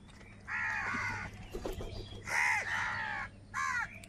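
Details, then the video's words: Crows fighting for food give three harsh, nasal caws. The first two are long and drawn out, and the third is shorter. They come against a quiet background with a faint low hum. "Crow Sound of Kaka | Clear Crystal Crow Bird Crowing Sounds"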